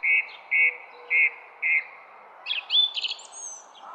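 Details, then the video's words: A songbird gives four evenly spaced, high buzzy notes, then a quick jumble of higher rising and falling whistles, in a garden. "GARDEN BIRD SONG"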